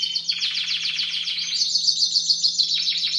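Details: Young caged Timbrado Español canaries of a 2015 breeding, recorded in training around late October and early November: fast pulsed trills roughly three and a half per second, switching to a clear ringing repeated note sequence, then a low dropping roll.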